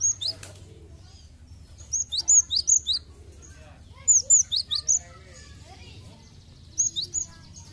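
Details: Cinereous tit singing, a recording meant to prompt a trainee bird into full song: three bursts of three to four bright, high, down-slurred whistles, each burst about two seconds apart, with faint softer chirps and low hum between.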